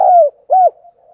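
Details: Spotted dove lure bird cooing in the morning to call in wild doves. Brief fragment: a long downward-sliding coo followed by one short rounded coo.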